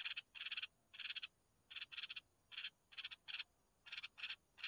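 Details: Begging red-whiskered bulbul chicks fed by their mother: a steady series of harsh, buzzy pulsed rasps, grouped in pairs and triplets, repeated roughly every half second.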